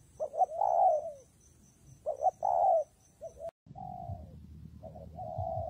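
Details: Spotted dove calling during rainy, windy weather, with two mellow coo phrases of short notes and a long falling tail. After a brief break, more coos sound over a rougher, low rumbling background.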